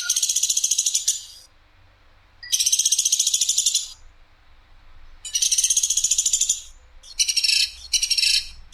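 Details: Masteran tutoring recording of a Sampit woodpecker, clear, rough and sharp: three long buzzing, rattling bursts about every two and a half seconds, then two shorter clipped bursts close together.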